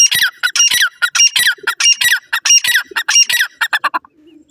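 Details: Grey francolin (dakhni teetar) with chicks: loud, harsh, shrill notes repeated rapidly, about one and a half per second, in an uneven series that fades out at the end.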